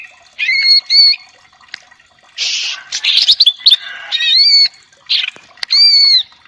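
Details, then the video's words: Greater green leafbird, a female, singing to provoke another bird to sing: paired clear whistled arches, then a burst of harsh, scratchy chatter and buzzy notes, ending with more bright arched whistles. "Pancingan Cucak ijo agar gacor,naik emosi,kongslet,nembak"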